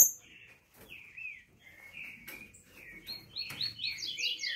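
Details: Mestiço green-winged saltator singing softly at first, spaced slurred whistles, then building into a rapid cluster of higher, bright notes at the end; light background noise throughout.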